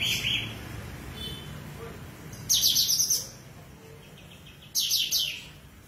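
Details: Tame sooty-headed bulbul in active song, offered as training material for magpie robins: two loud bursts of rapid, high, sharp chattering strokes about two seconds apart, with low background rumble.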